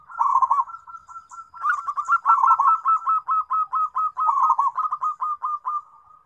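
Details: A zebra dove calling to companions in a near-continuous stream of soft, gurgling staccato coos. The notes are evenly spaced and roll on for about six seconds with scarcely a break.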